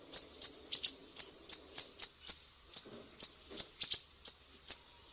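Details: Mangrove whistler of Sumatra with sharp 'besetan pedih' song, a master for songbird training: rapid piercing high chips, mostly single, a few doubled, around three per second.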